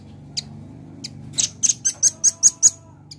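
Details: Red-billed nuthatch: two scattered high chips, then an accelerating run of about seven loud, shrill, piercing notes, over a steady low background hum.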